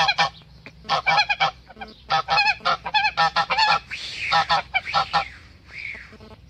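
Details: Harsh honking from a male goose defending its mate, rapid stuttering notes at first, then drawn-out, hoarser and more strained calls toward the end.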